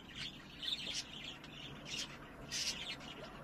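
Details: Two common quails, described as a father and son, singing on a spring day; short, sharp high-pitched bursts come in small clusters spaced about half a second to a second apart, over a faint low background hum.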